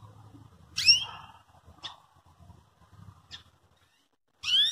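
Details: Belgian canary call used to provoke another canary into song: bright, steeply sweeping chirps opening and closing the clip, with a few short clicks between and a low hum in the background.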